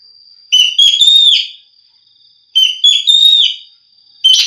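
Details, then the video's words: Ekek geling, or green magpie, in a recording used to tutor songbirds: two rising and falling whistled phrases with a raspy edge, then the start of a third, against a thin constant whine. "suara burung ekek geling"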